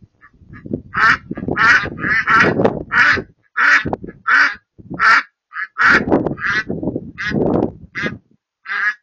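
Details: Wood ducks in a marsh calling in a busy, overlapping series of short, nasal quacks, roughly one and a half per second in uneven bursts, over a steady low rumbling background.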